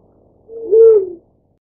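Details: One drawn-out, mellow hooting note from a black-chinned fruit dove, building gently then holding level before dying away, with a quiet background.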